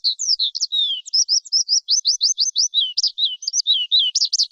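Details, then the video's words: Varied lark song: high twittering notes, then a series of quick repeated slanted chirps, then lower slurred phrases and buzzy trills at the end. "Tiếng chim Sơn Ca hót"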